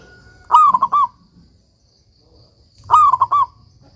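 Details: Zebra dove of a local strain, singing steadily, a recording meant for tutoring doves that have stopped singing, gives two crisp, trilled cooing phrases, each a quick stutter of clear notes.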